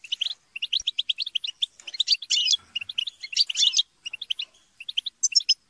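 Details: Chattering and squabbling European goldfinches, a group sound meant to stimulate singing; evenly spaced twittering notes, then dense buzzy squabble bursts, ending in sparse high chirps.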